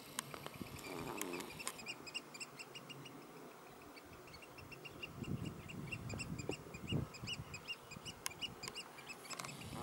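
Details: Three Eurasian oystercatchers piping, recorded 16 June 2016: rapid series of short, sharp, high notes with bright overtones, running through most of the recording over a low rumbling background with a few clicks.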